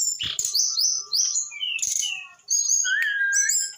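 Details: Eight-month-old brown-chested jungle flycatcher in full song: high slurred whistles and buzzy trills, a brief pause, then a lower sustained whistled note followed by sweeping high phrases.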